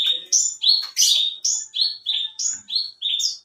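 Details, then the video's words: Alinea-type branjangan, a contest bush lark known for long varied song rather than volume, singing a rapid string of nine rising notes, some clear, some buzzy, almost without pause. "Burung branjangan alinea gacor"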